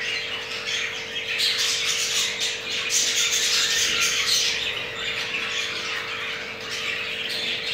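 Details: Captive jumbo crested male budgerigar during mating, from a pair with two eggs; harsh chattering warble, loudest in the middle, with quick repeated squawky notes over a low steady hum.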